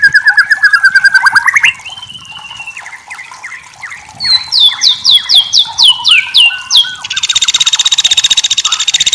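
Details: White-rumped shama singing for a masteran recording: a fast run of repeated notes, then long whistles, a loud series of sharp descending whistled notes, and a closing rapid buzzy trill.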